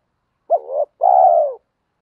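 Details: Spotted dove coo, with cocks and hens featured, played to stimulate newly caught doves in training; one clean two-part phrase, a quick upturned note then a sustained, mellow, gently falling coo, otherwise silent.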